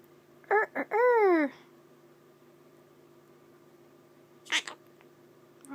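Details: A male pet Quaker (monk) parakeet makes his favourite noises, which include chicken and rooster imitations: a few nasal, harsh calls, then a drawn-out wavering squawk that rises and falls.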